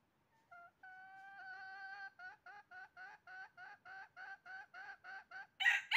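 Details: Red junglefowl calling during trapping on 20 January 2023: a run of about fifteen short, nasal clucking notes that quicken and grow louder, roughly three per second, ending in the start of a loud, harsh crow.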